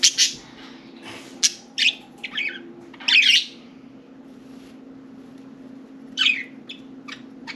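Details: Four caged pet budgerigars playing and talking inside and atop their cage; quick series of sharp chirps and ticks, a louder buzzy squawk near the middle, then quieter scattered chirps, faint steady hum behind.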